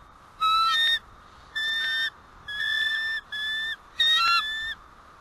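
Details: Bald eagles alert at their White Rock nest on the morning of 1 April 2012 as the male flies back in before the female leaves: five loud, harmonic, whistled notes, each about half a second, in an evenly spaced series.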